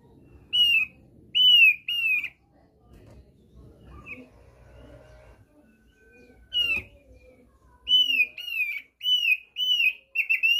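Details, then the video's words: Thick-billed heleia, played as a lure to draw birds into singing: loud, clear whistled notes, each slurring downward, given in short bursts, then a quiet pause with faint rustling, then a rapid run of five or six similar whistles. "PANCINGAN AMPUH BURUNG OPIYOR PARUH TEBAL"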